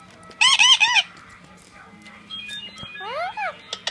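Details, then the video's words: Male Indian Ringneck of blue colour talking to a mirror, a quick squawky burst of chatter followed by quieter sounds and two falling whistled sweeps. "Talking Indian Ringneck"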